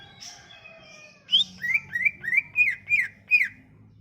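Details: Song of a Sumatran leafbird, a lure to make silent leafbirds sing: soft thin whistles at first, then six or seven clear arched whistled notes in quick succession over a low background hum.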